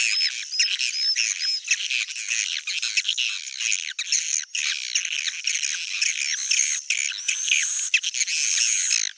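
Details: Swiftlets in a loud, squawky, high-pitched chatter of overlapping chirps, almost unbroken, with a few brief pauses and a couple of whistled notes at the start.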